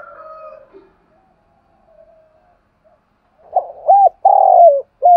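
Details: A spotted dove kept as a decoy calls the flock in the morning; quiet murmurs first, then a rising series of deep arched hoots and a drawn-out falling coo.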